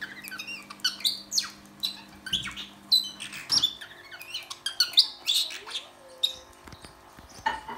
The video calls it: R2D2 Star Wars imitation by Ozzie parrotlet